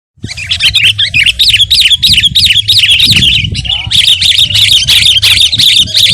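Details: Sooty-headed bulbul in energetic gacor song, used as a tutor and provoking recording for caged birds: dense, rapid run of bright whistled, slurred notes, rising and falling, delivered almost continuously over a steady low hum.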